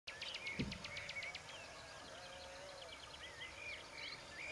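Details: On Lesvos, a Woodchat shrike gives a quick run of dry, high ticking notes, then thin, varied warbled whistles. A lower, softer whistle sounds faintly behind, with steady outdoor background noise.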